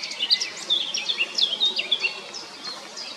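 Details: Eurasian blackcap in song: a rapid, tumbling warble of high whistled and twittered notes, about two or three per second, fading slightly at the end over faint hiss.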